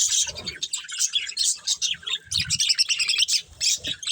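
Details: Pair of breeding budgies producing busy high-pitched chirps and scratchy warbled notes in quick bursts, pulsing roughly every half second, with faint low thuds underneath.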